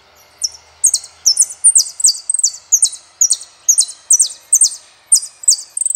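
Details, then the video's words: Saffron finch singing a fast run of sharp, high, downslurred chip notes, often paired, repeated about twice a second, ending in a brief thin buzzy trill; quiet background. "JILGUERO ARGENTINO - El peregrino"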